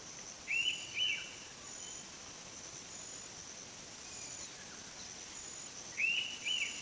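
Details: Two-note whistled phrases of an Indian pitta, one near the start and a repeat about five and a half seconds later, each note short and clear, with a constant thin insect drone running underneath.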